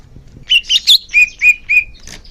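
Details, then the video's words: Murai daun (leafbird) song used to tutor young birds: a few high buzzy notes, then three clear whistled notes, evenly spaced. "suara kicau murai daun untuk terapi burung bakalan"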